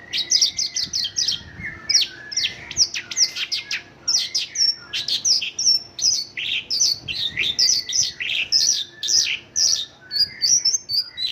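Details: Long, busy passage of Mongolian lark song filled with local phrases, rapid high chirps, trills and whistled slurs tumbling together with barely a break.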